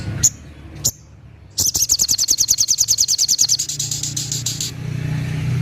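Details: Sogok ontong, the little spiderhunter, calling loudly: two isolated sharp high chips, then a three-second 'tembakan' volley of quick, piercing staccato notes around nine per second, ending into low traffic-like hum.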